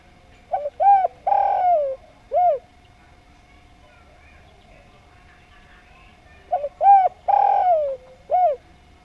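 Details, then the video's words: Spotted dove, known locally as derkuku or tekukur, singing: two matching phrases each of a short low double coo, an arched coo, a long burred sliding coo and a final arched coo, separated by a pause of about four seconds; steady faint hum behind. "Derkuku Djawa Gacor Suara Nglaras, Paling Enak Didengarkan"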